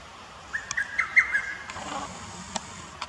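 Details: Lesser cuckoo at the Akita City botanical garden, Japan, on 21 May 2018, whose song is rendered as 'ho-to-togisu' or 'tokkyo kyoka kyoku'; one quick, sharp, whistled phrase of several clipped notes.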